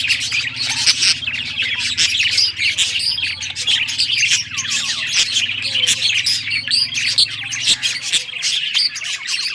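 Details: A group of rare-coloured budgerigars chirps busily while playing with toys, a dense warbling chatter with quick rising whistles and frequent clicking taps, over a faint low hum.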